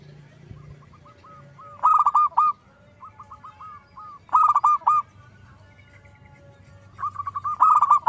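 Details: Zebra dove (perkutut) in loud, energetic song used as a lure to provoke other zebra doves: strings of soft, even cooing notes break into three loud, rolling 'dorr' bursts about every two and a half seconds.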